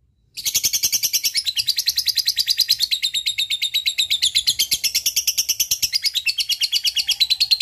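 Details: A lovebird bursts into a long ngekek after a brief silence, a continuous rapid rattle of high scratchy notes, roughly seven per second, used to stimulate lazy lovebirds to sing.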